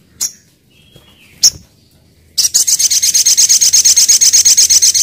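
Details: Little spiderhunter gives two separate sharp high notes, then breaks into a long rapid run of piercing chips at roughly three per second, steady and metallic.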